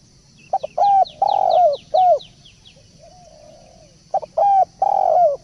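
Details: Spotted dove call used as a lure (pancingan) for balam or tekukur: low cooing notes, a short pair then longer curling coos, the phrase returning after a pause, over a steady high electronic tone.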